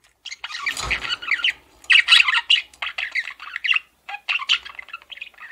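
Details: Pet male budgerigar chattering in dense, scratchy squawks and chirps, long bursts broken by brief gaps, with a faint low thump near the start.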